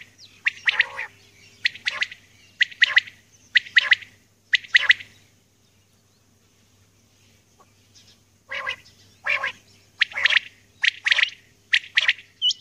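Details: Morning recording of a female common quail: runs of short, buzzy chirps repeated roughly every second, broken by a quiet gap before resuming.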